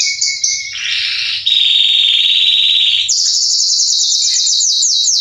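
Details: A male Belgian canary, Salsa type, sings to warm up other canaries, opening with short whistled notes, then a long flat buzzing roll, followed by quick repeated descending chirps at a high pitch.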